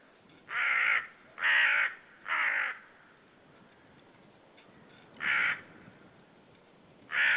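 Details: Common ravens calling hard near a White-tailed Sea Eagle nest at Saunja, Estonia, on 18 March 2013, birds out of sight; five harsh, hoarse croaking caws, three in quick succession, then two more after a gap.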